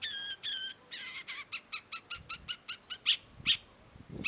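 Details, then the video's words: Long-tailed shrike song of whistled notes and harsh grating strokes, then a fast run of about ten clipped chirps, followed by sharper squeaky notes, clear against a quiet background. "cendet gacor PALING BANYAK DI CARI !! CENDET MU IKUT GACOR || Long-tailed Shrike"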